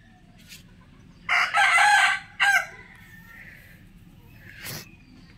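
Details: Black Buff Orpington rooster crowing: a single loud, hoarse crow of about one and a half seconds, rising into a strained held middle section and breaking off sharply, followed by quiet background with a faint distant call.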